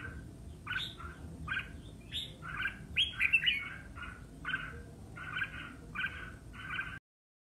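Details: Red-whiskered bulbul singing competitively: a string of about ten clipped, bubbly notes that grows louder midway, then settles into evenly spaced paired chirps, over a faint low background hum.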